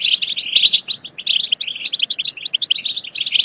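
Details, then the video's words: Goldfinch song intended to make goldfinches sing and mate, with bright, rapidly repeated chirps and liquid twitters in a steady stream that briefly thins near the middle. "بتبتة تجنن الحسون وتفقده العقل بتبتات خرافية في تحفيز الحسون على التغريد بتبتة تخرج حسونك عن السيطرة"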